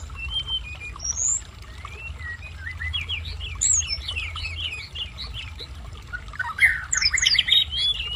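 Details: Song of a hill blue flycatcher still learning to sing: thin high whistles give way to a quick chain of rising and falling warbled notes, ending in a dense, tumbling jumble of bright twitters over a low rumble.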